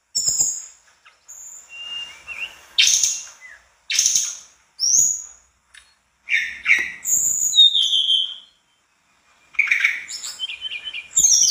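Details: Mangrove blue flycatcher singing persistently with fill-in phrases: scattered short, varied whistles and high slurred notes in separate bursts, with frequent sharp clicks between phrases.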